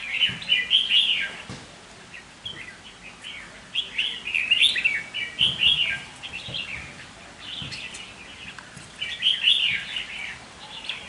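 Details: Red-whiskered bulbul kept as a caged decoy bird delivers short, bubbly whistled phrases in separate bursts a few seconds apart, each a rapid tumble of chirpy notes, with quiet gaps between.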